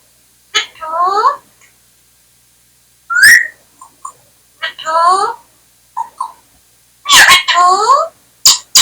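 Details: Indian parrot talking indoors: short bursts of nasal, harmonic speech-like syllables with wavering pitch, a sharp rising whistle near three seconds, then clipped phrases and loud clicks, separated by silent gaps.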